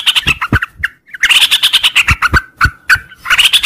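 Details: Sooty-headed bulbul in morning 'ngropel' song: busy overlapping chatter of fluty and scratchy notes, a short silence, then more rapid phrases. Clicks and low knocks sound throughout.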